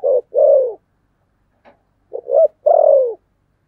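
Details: Spotted dove giving a 'thổ sấm' style coo: a short hoot and a long falling coo, a pause, then a quick double note and another long, sloping coo. No other sounds.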